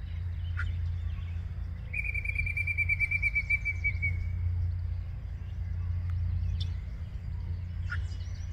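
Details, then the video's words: Yellow-breasted chat singing at 10:12 AM on May 23, 2023, Osborn Metropark, Huron, Ohio: an isolated sharp note, then a rapid even trill of high notes for about two seconds, and further single sharp notes, over steady low rumble. "Yellow Breasted Chat singing"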